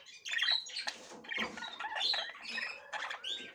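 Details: Female budgerigar checking the nest for the first time; a continuous run of scratchy, warbled notes rising and falling without pause.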